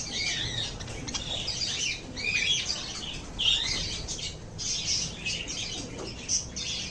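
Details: Group of lovebirds in steady high-pitched chatter, a blur of scratchy chirps with occasional clearer squeaks standing out.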